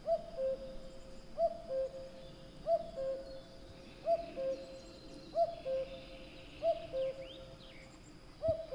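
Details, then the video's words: Common cuckoo calling its falling two-note 'cuck-oo', repeated steadily about every one and a half seconds, with faint high calls of other birds behind. "Kuckuck | cuckoo | cuculus canorus | Gesang"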